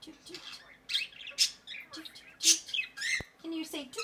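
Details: A pet Quaker parrot calling indoors in a small room: a string of short, harsh, broadband squawks and chatter notes, uneven in spacing, with one sharp click.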